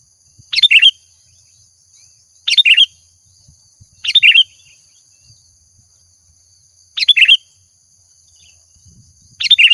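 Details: Sooty-headed bulbul, lure sound: five short bubbly chirp bursts, each a rapid tumble of notes, repeated about every one and a half to three seconds over a faint steady whine.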